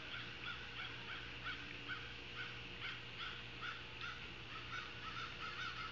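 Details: Ospreys at a Savannah nest, live nest camera, August 9, 2023, 16:05; a steady run of short, sharp whistled chirps, about two per second, rising and falling slightly, over a constant low hum.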